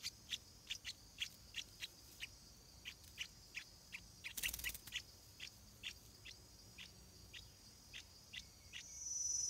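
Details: Stripe-throated Bulbul chicks around the time of their first flight give a quick run of short, clipped chirps, roughly three per second, broken midway by a brief burst of rustling noise, with constant high insect buzzing behind.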